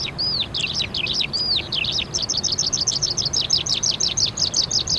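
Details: A crested lark (Galerida cristata) in Islamabad, Pakistan sings a fast, continuous run of high, twittering and slurred notes, with a few clear down-curving whistles, over faint background noise.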